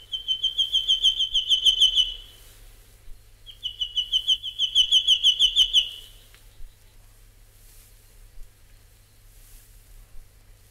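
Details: In Australia, an Albert's (Prince Albert) Lyrebird gives two loud bursts of rapid, ringing notes, about five per second and each lasting roughly two seconds, then quiet with faint background sounds.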